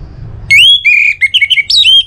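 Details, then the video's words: Orange-headed thrush song, played to prompt other birds to sing. A loud, clear whistled phrase opens with a long sliding note, then runs into quick warbling notes that dip and rise in pitch, against a quiet low hum. "ANIS MERAH Untuk Suara Pancingan Burung Agar Rajin Bunyi Ngeplong"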